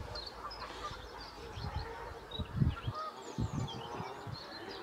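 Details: In spring, a flock of Canada geese honk together, overlapping nasal, two-toned calls in a busy chorus over low rumbling background noise.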